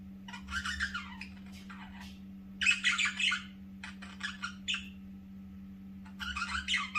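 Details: Pet budgerigar chatters in scratchy, buzzy bursts mixed with quick squawks and chirps, over a steady low hum.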